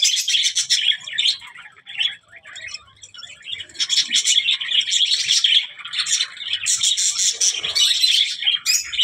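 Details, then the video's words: Budgerigar chattering in uneven bursts of high, scratchy warbling and clicks, with quieter stretches between louder, busier phrases. "birds voice"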